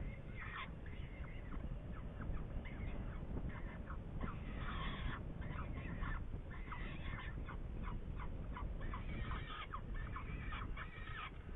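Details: Saker falcon recorded in Hungary, 8 May 2019, giving a long, busy sequence of harsh harmonic calls, clipped downstrokes alternating with drawn-out rasping notes, nearly continuous, over persistent low background noise.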